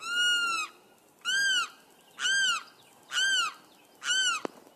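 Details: Limpkin calling with five long, rising-and-falling wailing notes at about one per second, ending with a short sharp click.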